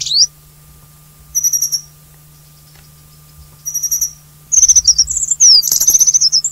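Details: Alpine accentor, a high-mountain resident of a Taiwan-endemic subspecies, at Hehuanshan, Taiwan, gives short, high, rippling chirrup bursts, two brief trills then a faster run of chirps and thin sweeping notes over a faint hum.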